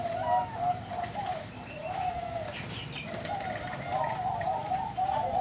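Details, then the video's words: Zebra dove, a bird-farm bird with a big voice, giving low cooing phrases of wavering notes against a steady background hiss and hum. "นกเขาชวาเสียงใหญ่ -น้ำสวยฟังเพลินๆ"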